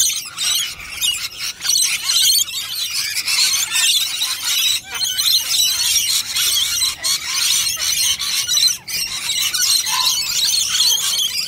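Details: Wild rainbow lorikeets crowding a nectar dish for a treat: a long, steady din of piercing, rasping screeches from the whole flock, barely pausing.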